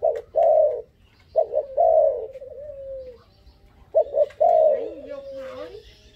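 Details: A five-month-old young dove calls loudly. Short stuttering coos lead into a sustained, gently falling coo, repeated three times, with a faint wavering sound near the end.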